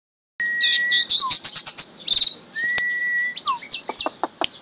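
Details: Pet orange-headed thrush, kept since young, singing in the intense 'mabok' style: long steady whistles alternate with quick bursts of sharp, high chirps and short descending notes, in a quiet room.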